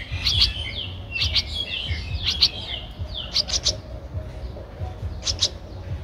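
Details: Streak-eared bulbul nestling, 13 days old, its eyes opened at seven days, recorded on 15 April 2023 in Ubon Ratchathani, Thailand; bursts of short, sharp chirps and downslurred notes come in clusters about once a second over a low rumbling background.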